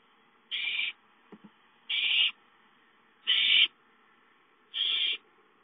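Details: Young owls calling for food at home, 5-9-13: four rasping, hissed screeches of even length, repeated roughly every 1.4 seconds, with faint soft clicks between the first two.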